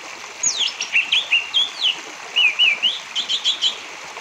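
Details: Orange-headed thrush song meant to stimulate other birds into singing: quick, sliding whistled notes and rising-falling phrases delivered in short bursts against constant background hiss.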